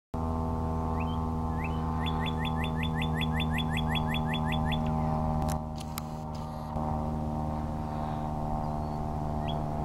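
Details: Northern cardinal at South Cape May Meadows WMA giving a quick run of about a dozen clear, downslurred whistles, several per second, over a steady low engine-like hum and a few clicks.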